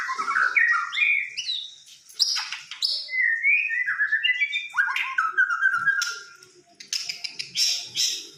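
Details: White-rumped shama, a fighter bird, singing a rich varied song of whistled phrases sliding between low and high notes, with rapid chattering trills and sharp high bursts toward the end.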